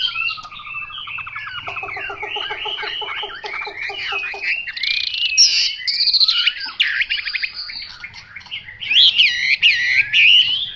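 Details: Chinese hwamei, 'mộc dở' type, opening with a descending whistle, then a rapid buzzy low trill, followed by varied squeaky phrases, a sharp high burst and loud looping whistles at the end.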